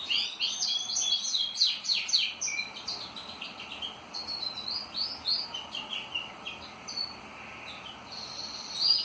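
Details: Pet canaries in full song, a dense burst of fast trills and chattering notes at the start giving way to looser warbled phrases and sweeping whistles, with brief gaps and a sharp note near the end.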